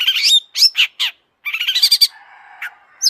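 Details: Excited long-tailed shrike singing as a lure for other shrikes: dense harsh chatter, rasping notes and a short bright whistle, ending in a softer buzzy trill.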